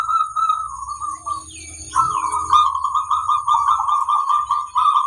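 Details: Training recording of a zebra dove, used to prompt birds to sing. A rolling coo is followed by a long, sustained stream of bubbling, trilled cooing over a faint low rumble.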